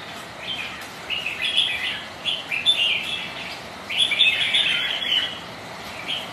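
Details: On a rainy day, rival red-whiskered bulbuls spar with repeated short warbling phrases, about one every second, bright and chirpy over a constant hiss.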